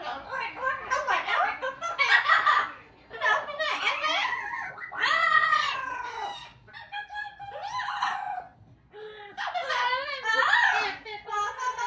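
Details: Amazon parrots in a stretch of loud noise-making and imitation, including opera, sirens and Pac-Man sounds; harsh, dense squawks and raucous bursts fill nearly every second with brief drops between phrases.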